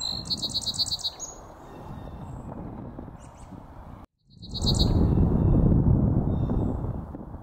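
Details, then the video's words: Song sparrow in a meadow on 18 March 2024 sings a quick run of bright, repeated high notes, then a brief trill, repeating after pauses over a low rumble of wind or traffic. "song sparrow"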